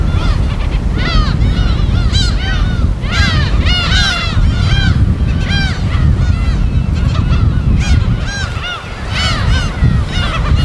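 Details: Natural gull colony on an uninhabited Korean island in the West Sea, recorded on location: a busy, unbroken chorus of curved, mewing calls from numerous birds, backed by heavy wave noise.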